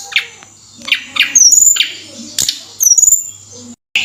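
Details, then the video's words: Flowerpecker singing: sparse very high, thin, sharp chirps and brief whistled upslurs, separated by pauses and by scratchy clicking and rustling sounds in the background. "Suara Burung Tledekan Gacor Dongkrak Burung Jadi Naik Mental"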